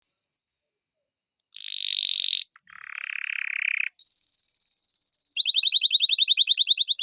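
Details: Male canary singing a sequence of distinct phrases: a brief pure high whistle, a buzzy rolling section, a lower harsh roll, a long steady high trill, then rapid repeated rising notes. No other sounds.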